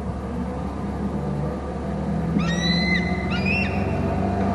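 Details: Bald eagle near its nest and territory on Hornby Island, recorded by a nest camera: two short, high, thin whistled squeals after a stretch of droning low hum.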